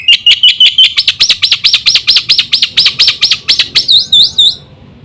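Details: Black-winged myna singing a full song meant to prompt other mynas to sing. Quick trilled notes lead into a long run of loud, even, arched whistles, then a few rising squeaky notes at the close.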